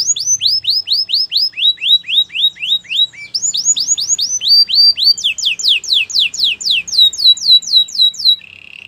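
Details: Singing canary for coaching other canaries: nearly nine seconds of fast repeated whistled slurs, about four per second, in successive tours at changing pitches, closing with a soft buzzy trill.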